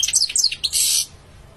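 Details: European goldfinch singing: a quick run of high, tinkling notes, some sliding downward, ending in a harsh buzzy note, then quiet.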